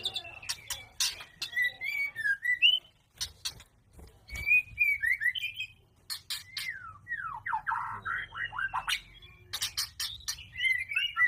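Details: White-rumped shama singing during mating: clear whistled phrases sliding up and down, short warbled runs and fast descending notes, broken by sharp clicks and taps.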